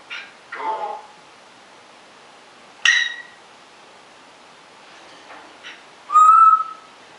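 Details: Rescued pet African grey parrot, once stress-plucked and now fearful of other birds, left alone indoors: a few scattered whistles, some short and wavering, ending in a louder clear whistle that rises and then falls.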